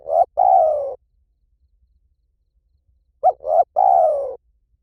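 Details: A 'liew tan'-style spotted dove call, used for training a caged dove to answer: a clipped coo and a long sliding croo, then after a three-second pause a short, a medium and a long falling note.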